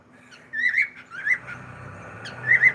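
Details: Cockatiel giving a few short whistled chirps that waver up and down, three bursts within under three seconds over a quiet background with a faint low hum.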